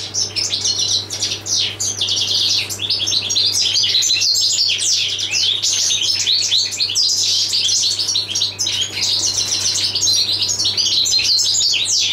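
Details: Lively, continuous warbling of a European goldfinch ('jilguero del paso'): quick high chirps, slurred whistles and twittering runs tumbling together without pause, over a constant low hum.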